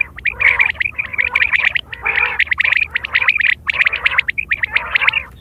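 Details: Quail sound recorded September 2023, a call used for hunting and mating: dense, overlapping bursts of sharp, squeaky chirps and metallic chatter, almost continuous with only brief pauses.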